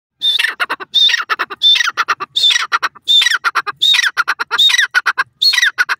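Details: Grey francolin (teetar) calling loudly and close, about eight phrases in six seconds. Each phrase opens with a sharp high whistled note, then a rapid run of clipped, harsh notes. The background is quiet.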